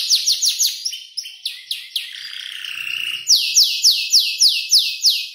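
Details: Canary aged around five months imitating tutor birds while learning its song; quick falling chirps, a drawn-out buzzy note, then loud sweeping whistles repeated about three times a second.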